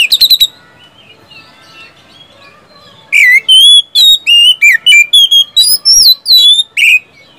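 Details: Oriental magpie-robin lure song for caged birds reluctant to sing: a few quick notes, a quiet stretch of soft warbling, then from three seconds a loud series of varied whistles and chirps.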